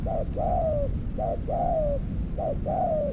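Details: Spotted dove in decoy trapping with an earthen trap cage: close, clear coo phrases, a short two-part note then a long sliding coo, repeated three times in quick succession.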